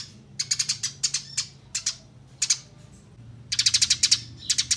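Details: Clear chirping of a Eurasian tree sparrow, recorded for training songbirds: short groups of bright, high chips, then a faster run of about six near the end, with a quiet low background hum.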